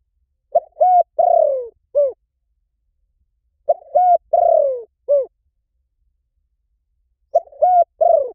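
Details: Repeated spotted dove coos used as a decoy: two full phrases and the start of a third, roughly every 3.5 seconds, each with a buzzy descending middle note and a crisp closing coo, very clean background.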